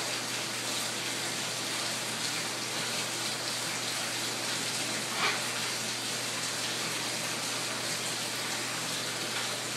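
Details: Steady hiss of spraying water with a low hum underneath and one brief knock; no animal calls.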